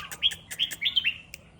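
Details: Caged red-whiskered bulbul set out in the morning dew, giving a short run of bright, warbled whistles that slur up and down, followed by a single sharp click near the end.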